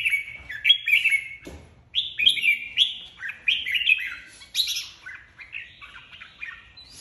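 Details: Competitive singing from a red-whiskered bulbul, the flock leader just separated from its aviary: a busy run of quick, liquid, warbling phrases, each dipping and rising, delivered almost without pause.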